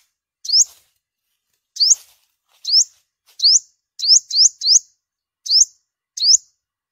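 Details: Olive-backed sunbird, a five-coloured yellow-bellied form, used as a migration-season lure: eight high rising slurred notes, spaced irregularly with a quick pair near the middle, clean and without other sounds.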